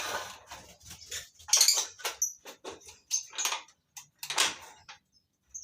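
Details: Lovebirds kept in a colony breeding setup, giving shrill, high chirps and scratchy squeaks in quick irregular bursts, several birds overlapping, with brief pauses between outbursts.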